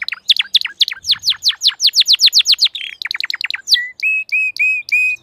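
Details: Crested canary singing fast series of sharp descending notes, a brief rattle, then level whistled notes repeated in a steady rhythm, loud and clear.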